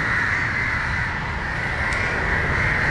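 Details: Several crows mobbing a dog that approaches a fallen crow in Matara, Sri Lanka, give unbroken harsh cawing from many birds at once. Constant low background hum is also present.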